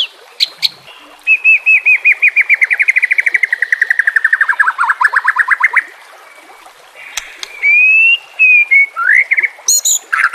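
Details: Captive-training song of a White-rumped shama with varied filler phrases: a long fast trill of clipped whistled notes that slowly falls in pitch, then loud sliding whistles and brief sharp chips.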